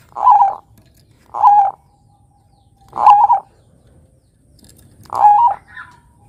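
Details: Bangkok-type zebra dove (perkutut Bangkok) calling as a lure to prompt other birds to answer: four short mid-pitched coo bursts, each a quick double note, spaced about one and a half to two seconds apart.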